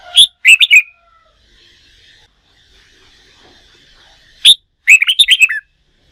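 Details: A red-whiskered bulbul newly taken from the wild, in training for singing contests, sings a short warbled phrase, falls quiet for about three seconds, then gives a sharp note and another rippling run of bright notes.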